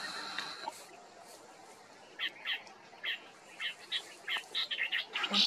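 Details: Marsh babbler in December 2023 at Maguri Beel wetland, Assam, India, giving short bright chirps repeated irregularly, roughly twice a second, growing denser toward the end, after a quiet stretch with a faint high hum.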